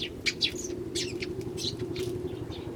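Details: Eurasian tree sparrows, many visiting a feeding spot in early January with one starling also present; short sharp chirps repeated in quick bursts over a steady low hum of traffic.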